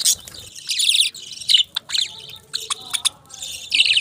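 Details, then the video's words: Budgies trading quick, warbled chirps and rising twittery notes, broken by brief clicks and short gaps, the chatter bright and high. "Beautiful Chirping Sounds relaxing Voice"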